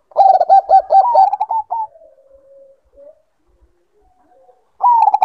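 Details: Bangkok-type zebra dove in breeding condition giving a fast series of bubbling coos that rise at the end and trail into a soft, low hum, then a new phrase starts after a silence.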